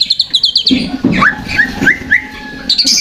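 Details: Lure song of a white-rumped shama for provoking birds: quick high pulsed trill, then short rising whistles spaced about every third of a second over a low hum.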